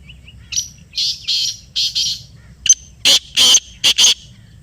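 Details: Harsh rasping calls of a black francolin responding to a played call: a run of four softer buzzy notes, a short click, then four loud, clipped, grating bursts in quick succession.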